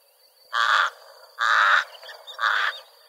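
A pied crow gives three harsh, hoarse caws, each about a third of a second long, spaced roughly a second apart, over a faint steady background hiss.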